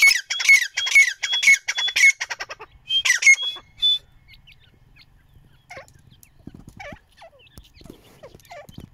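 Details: Baby partridge chicks out in the sun: shrill, squeaky peeps repeat roughly twice a second for several seconds, pause, then a short burst, before fading to faint thin notes and light handling sounds.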